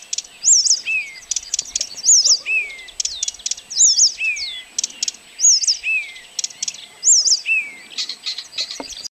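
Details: Singing Blyth's reed warbler recorded on 12 June 2011 at Kępiny Małe, Pomeranian Voivodeship: a repeated phrase of high, sharply rising whistled notes followed by a lower descending slur, recurring roughly every one and a half seconds, interspersed with clicking ticks.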